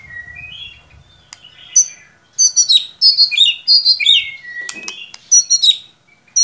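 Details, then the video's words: Prompting song of a white-rumped shama, used to get a bird that only chirps to sing: soft opening whistles, then dense bursts of sharp, high, rattling notes and slurred whistles in fast succession. "Solusi murai ngiriwik kurang gacor cukup dengarkan suara pancingan ini pasti nyangut"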